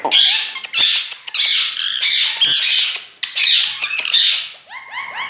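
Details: A pet Rose-ringed (Indian ringneck) Parakeet chatters in harsh, raspy bursts of imitated Urdu speech ('main mithu'), then ends with a few clear, rising whistled notes. It sounds like it is in a small room.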